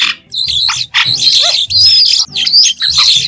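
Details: Singing white-shouldered starling with no background noise: scratchy chattering phrases punctuated by thin, bright whistles that rise sharply and then fall, plus a short descending squeak.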